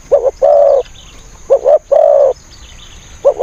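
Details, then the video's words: Decoy spotted dove used to attract wild doves into a trap, giving low hollow coos: a short stuttered pair then a sustained purring coo, the pattern repeating after a pause, over a quiet background. "ต่อนกเขาใหญ่ ต่อเพนียด เสียงนกเขาใหญ่"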